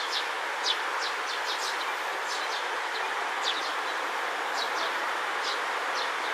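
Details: Juvenile Eurasian tree sparrow in a green space on a hot 3 July 2022, calling while preening and dozing: many short, high, falling chirps scattered irregularly, several in quick pairs, over a loud steady hiss.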